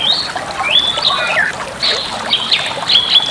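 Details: Training song of a Bali myna: bright whistled notes, some sliding up, others dropping, mixed with raspy chatter, a loud clear whistle ending the phrase.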